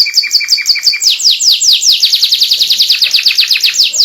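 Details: White canary in full song, kept as a master recording to prompt young canaries to sing along: rapid high notes sweeping downward, repeated many times a second, then a slightly slower run of descending sweeps.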